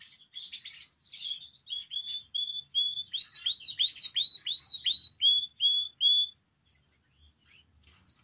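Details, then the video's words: Canary song meant to encourage canaries to sing: a scratchy opening, then a run of about a dozen clear rising whistled slurs, ending in a quiet pause with a few soft notes. "Canario Cantando. (Ideal para ESTIMULAR canto de canarios)"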